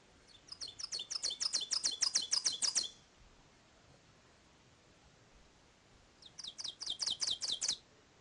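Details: Ovenbird in mature closed-canopy Ozark forest during the spring dawn chorus gives two bursts of loud, ringing, accelerating teacher-teacher song, about a dozen paired notes swelling louder and faster, then stopping abruptly; carries several hundred metres.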